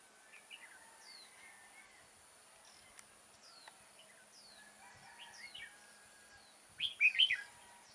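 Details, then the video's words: Decoy red-whiskered bulbul at a trapping site, 6 October 2018. Sparse thin whistles and chirps give way to a short, loud, bubbling phrase of quick rising and falling notes. Distant bird calls are heard throughout. "Bẫy chào mào Mào đá lân hầu bò nết căng xòe"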